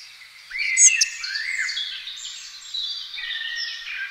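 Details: Two juvenile spotted flycatchers receiving food, one loud thin high squeak followed by rising chirps, set against a busy layer of other birds twittering.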